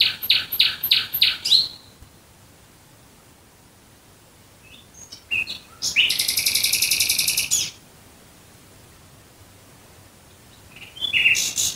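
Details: Singing nightingale at night near Dresden: a run of loud repeated chirps, a pause, a few soft notes, then a long buzzing rattle of rapid notes, and after another pause a new phrase begins.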